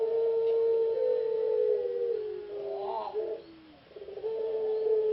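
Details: Puter pelung ringneck dove kept by an Indonesian breeder, which sang in a Yogyakarta P4SI contest semifinal. A long, smooth, slowly falling coo is broken by a brief rolling, gurgling flourish, then another sustained hooting note.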